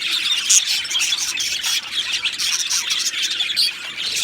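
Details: Two male budgies of Australian type squawk and chirp in a rough, scratchy chatter of high notes, with louder bursts scattered throughout.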